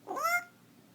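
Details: Young parrot, eight months old, indoors practising animal sounds: a single short rising meow-like whine imitating a cat.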